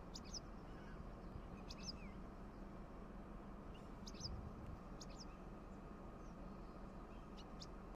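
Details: Wire-tailed swallow perched on electric lines near Gurugram, India, giving short, high, sharp chit notes, singly or in quick pairs every second or so, over a steady low rumble of wind or distant traffic.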